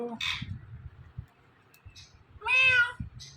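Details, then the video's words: Talking Indian ringneck parakeet imitating a cat's meow: a brief harsh burst at the start, then a drawn-out, wavering meow-like wail late on, with soft low thumps and room noise between. "Indian Ringneck Parrot Talking"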